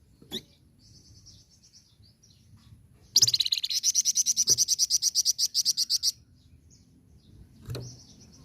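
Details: Masteran recording of an energetic flamboyan bird in nyecret ngerol style: a sustained, rapid rattle of harsh buzzy pulses, around twenty in three seconds, with faint thin high notes before and after and occasional clicks.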